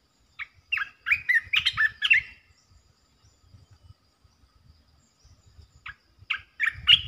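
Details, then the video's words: A territory-holding red-eyed bulbul calls in two bouts of fast, bubbly, slurred notes, the first long and lively, the second shorter, with faint low rumbling between them. "เสียงนกกรงตาแดงEp.219 จ้าวหยกสายเรียก!! เจ้าถิ่นมารำ"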